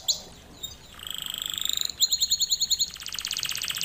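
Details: Canary song recorded as a lesson for canaries to copy, opening with a few isolated notes, then a steady buzzy trill, a series of rhythmic double-toned pulses and a dense high rattling roll.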